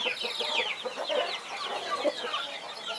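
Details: Brief stretch from a mother hen watching over 21 chicks: many thin, quick downward peeps blur together at moderate volume, with a couple of lower soft notes.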